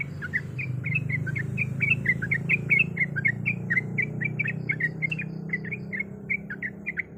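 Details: Yellow-vented bulbul female, in breeding condition, calling the male: steady rapid chatter of clipped chirps, about four to five per second, over a humming low background.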